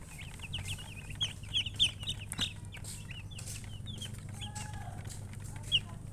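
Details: High, sharp chicken chirps in quick bursts, some notes louder and piercing, with a few lower drawn-out clucks and a constant low background hum.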